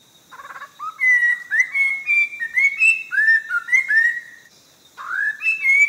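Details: Orange-breasted laughingthrush, Langbian Plateau endemic of southern Vietnam: brief harsh chatter, then a flowing series of clear whistles stepping up and down, a pause, and a rising whistled restart.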